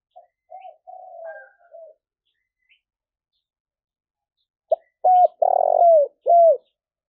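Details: Spotted dove call for encouraging newly caught doves to coo: soft background coos, then silence, then a sharp click, a short coo, a long purring falling note and a final arched coo.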